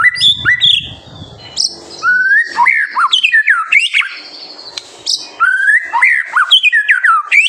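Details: Vigorous White-rumped shama song used to provoke young birds: bursts of sharp high whistles and loud slurred notes in varied phrases, separated by short gaps, with a brief faint noise at the start.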